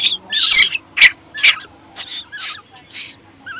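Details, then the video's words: Baby Asian koel in human care, very hungry and calling for food. It gives a rapid run of short, rasping screeches, about seven in under four seconds, while a person talks softly to it. "ক্ষুধার্ত কোকিল পাখির বাচ্চা"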